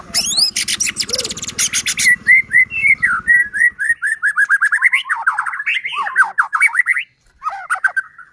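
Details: White-rumped shama singing energetically, a lure meant to rouse other shamas into song; a buzzy, harsh opening gives way to a long run of quick, clear whistled notes rising and falling, briefly pausing near the end.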